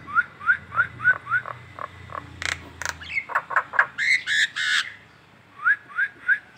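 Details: Morning ngekek calls from a collared kingfisher in Indonesia: a row of short, rising and falling notes, a harsh chattering middle section, then three more short notes after a pause.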